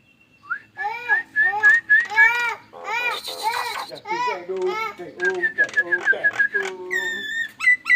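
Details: Nias hill myna (Gracula robusta) kept indoors mimics strange sounds and Indonesian-sounding speech: a rapid run of loud clear whistles and babbling speech-like phrases, sliding and warbling, several per second, in a quiet room.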